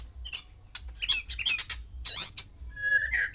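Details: Caged male white-rumped shama with six females, singing to stir mating: loud varied phrases of chirps, squawky notes and a bright rising whistle, then a long slurred whistle at the end.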